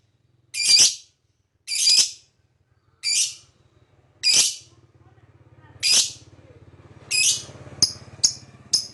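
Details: Lovebird chirping at length, a sound said to stir other birds: six harsh, high chirps at steady spacing, then three short sharp clicks toward the end, over a low droning hum.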